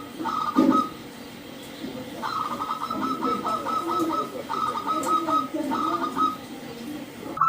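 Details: Local zebra dove singing in bursts: quick runs of clipped cooing notes separated by pauses, partly masked by broadband background noise and low murmuring.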